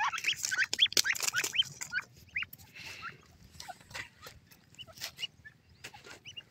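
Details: Red golden pheasants (red golden francolin) call in a two-part harmony of short, sharp rising chirps and clicks. They come crowded at first, then spaced out and quieter, over a low background hum.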